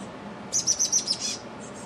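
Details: Chestnut-backed chickadee in a back yard gives a quick run of five or six very high, thin, slightly buzzy notes in under a second, over a faint background hiss.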